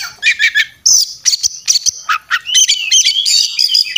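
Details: Oriental magpie-robin in a loud, fierce fighting song. It delivers a rapid, varied stream of whistles, harsh buzzy squawks and chattering notes, with bursts repeated in quick succession and no pauses.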